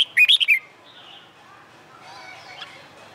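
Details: Red-whiskered bulbul contest song on a sunny summer day: a single quick phrase of four ringing, slurred whistles, followed by soft background chirping.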